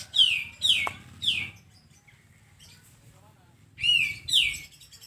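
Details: Sooty-headed bulbul heard in a tutoring recording meant for training songbirds: quick downward-slurred chirps in a group of three, a pause, then two more, with low rumbling hum underneath.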